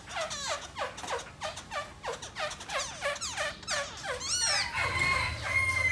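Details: Black laughingthrush song delivered with dancing: a steady series of rich, harmonic notes, each sliding sharply downward, repeated roughly every half second, ending in a rising, squealing flourish and a rough, churring note.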